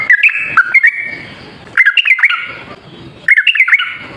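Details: Yellow-vented bulbul lure song: three short bursts of warbled, stepped whistles, each under a second long, spaced about one and a half seconds apart.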